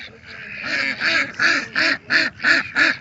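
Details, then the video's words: Ducks in their natural state giving a run of harsh, nasal quacks, seven in about three seconds, each an arched, harmonic-rich burst repeated roughly every third of a second after a softer start. "Sonido de Patos"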